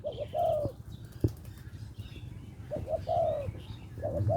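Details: Spotted dove from Lopburi, Thailand, a small-voiced bird calling a mate with a khu-kham coo. It gives low, soft coo phrases, two quick notes and a longer falling one, repeated about every three seconds, with a single sharp click between.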